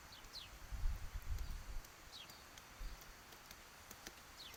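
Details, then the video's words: Downy woodpecker working at peanuts, giving a short flurry of low, dull knocks followed by a few isolated taps. Faint high, falling chirps from other birds are heard throughout. "Downy pecking at peanuts"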